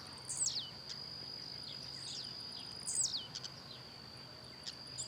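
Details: Blue-black grassquit in natural habitat, singing and hopping, repeating its short buzzy downslurred note several times, roughly every one to two seconds, with faint clicks and a steady high insect drone behind.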